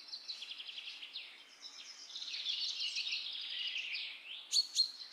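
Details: Common myna: a rapid, scratchy rattle of repeated notes blends into dense high chattering, ending with two loud, sharp notes in quick succession.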